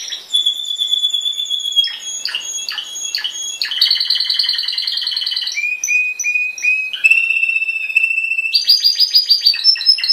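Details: Yellow timbrado canary with black markings, a 2012 bird trained for contest singing, delivering a loud continuous song of rapid metallic trills, sustained whistled notes and quick pulsed rolls changing pitch in segments.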